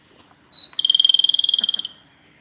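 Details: Male Japanese robin singing at Yanagisawa Pass on 25 April 2021: a brief high whistle, then a fast, even, high-pitched rattling trill of about twenty-five notes lasting just over a second.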